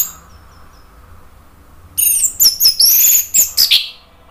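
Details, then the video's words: Orange-headed thrush (anis merah) song used to provoke other birds to sing: after quiet faint high whistles, a rapid series of very high, sharp, scratchy and slurred notes. "ANIS MERAH GACOR NGEPLONG memancing EMOSI jadi NYAUT BUNYI"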